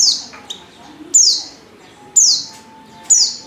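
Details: Female white-eye in heat calling for a male: loud, sharp high chirps that slide downward, given about once a second, with quiet gaps between them.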